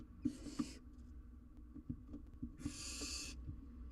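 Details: Wild barn owl owlet tackling a huge jird, recorded by live cam: two harsh, noisy hissing screeches about two seconds apart, with soft clicks and bumps from movement in between.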